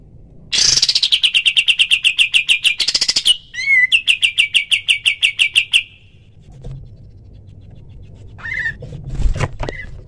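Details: White-shouldered triller calls recorded as a clear tutor track for other birds: rapid, evenly spaced, high chattering notes in two bursts with a brief warbled break, then faint scattered notes and low background noise.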